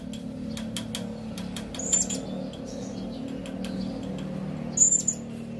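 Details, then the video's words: Calling serindit, a Blue-crowned Hanging Parrot: two short, piercing, high-pitched notes about three seconds apart over a persistent low hum, with faint ticking sounds early on. "Suara Burung Serindit Memanggil"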